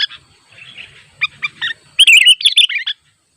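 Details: A sooty-headed bulbul in the wild, calling rivals near a simple trap: a few soft scattered notes, then a loud, rapid burst of bubbly chirps lasting about a second.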